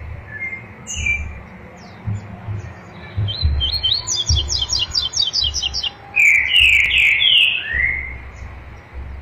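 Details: A captive double-collared seedeater sings the 'tui tui zel zel' song: high whistled notes, then a fast run of repeated metallic chips, ending in louder buzzy, sweeping phrases.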